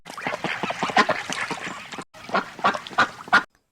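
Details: Duck quacking in a fast run of harsh, nasal quacks, roughly three a second, broken by a short silence before a few louder, clearer quacks close the sequence.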